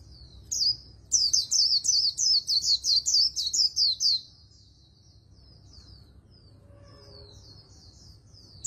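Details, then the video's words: High-pitched rapid song of a voice-trained Oriental white-eye, Vietnamese 'líu đấu' fast contest style: about ten quick slurred whistles packed into three seconds, then softer, scattered notes. "Luyện Giọng Vành Khuyên Líu Đấu Siêu Nhanh | Khuyên Líu Kích Bổi | Khuyên Líu Giọng Chòe Chuẩn"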